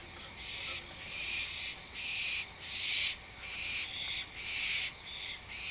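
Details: Barn owls, an adult with a juvenile, chattering at night around 11:30 PM: a steady run of rasping, hiss-like screeches lasting roughly a second, separated by short pauses, loud and evenly paced.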